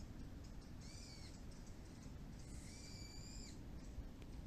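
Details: Wild birds calling a lot after the rain stopped, near a neighbourhood plum orchard, while a male Shiba Inu listens: two drawn-out, nasal, arching calls about two seconds apart over a steady low rumble.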